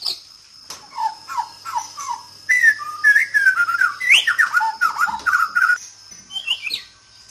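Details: Murai batu, or white-rumped shama, from Borneo's Sabah: short downslurred notes repeated, then a rapid cascade of varied whistles and warbles, ending in softer high notes, over a faint insect drone.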